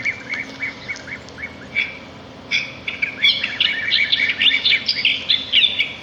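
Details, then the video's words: Sparrows singing outdoors in nature: sparse high chirps at first, then from the middle on a dense, overlapping chatter of quick bright tweets from several birds. "صوت العصافير في الطبيعة"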